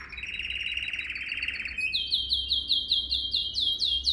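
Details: Canary singing a training song for young birds: a long buzzy, grating roll, then a fast run of bright, downward-swooping notes repeated several times a second.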